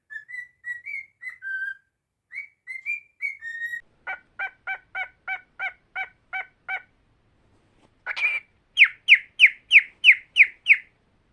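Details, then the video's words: Tame cockatiel whistles a melodic phrase of slurred notes, then a run of about ten evenly spaced short pulses, followed by a louder series of sharp rising whistled notes repeated quickly, indoors. "A super talented cockatiel"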